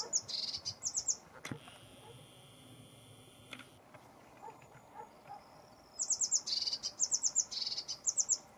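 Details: Lesser whitethroat (Sylvia curruca), named in English, Romanian, Hungarian and Latin, giving short bursts of high, rapid ticking notes in quick clusters at the start and again near the end, with a quieter gap between and a faint steady whine in the middle.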